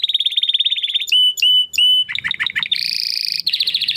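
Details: Domestic canary singing, a recording meant for tutoring competition birds: fast high trills, clear whistled notes, rapid downslurred chips, then a dense buzzy rolling trill and another quick trill.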